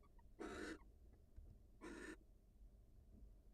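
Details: Wild barn owl female leaving the nest to greet her mate; two harsh, noisy hissing bursts, each about a third of a second, spaced over a second apart against low rumbling background noise.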